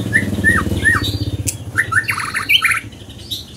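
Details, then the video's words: Scarlet minivet giving ringing whistled notes that drop in pitch, three in a row, then quicker slurred notes and a brief chattering burst, over a low humming background. "Lửa siêu hót"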